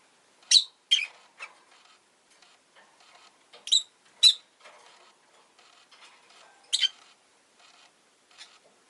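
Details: Pet rosy-faced lovebird that has just laid an egg, giving short, shrill, scratchy chirps in small pairs spaced a few seconds apart, with faint clicks and rustles in the quiet gaps.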